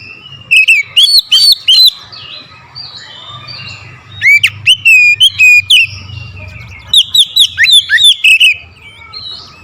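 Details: Provoked oriental magpie-robin singing forcefully at a rival, unloading its learned repertoire. Three bursts of fast whistled, rising and falling notes with harsh clicking overtones, each a second or two long, separated by brief gaps over a low background hum.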